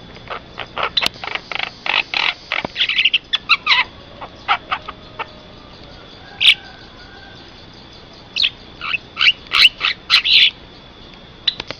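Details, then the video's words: Javan myna song for luring other mynas: long run of clipped ticks and rasping notes, gaps, then dense bursts of scratchy chatter with a steady faint whine. "MP3 suara jalak kebo , bisa untuk pikat sangat ampuh"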